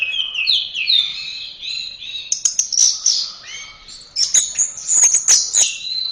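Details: Song of an orange-headed thrush for training birds: warbled whistled phrases building into fast stuttering, clicking bursts of high notes, then a closing smooth whistle.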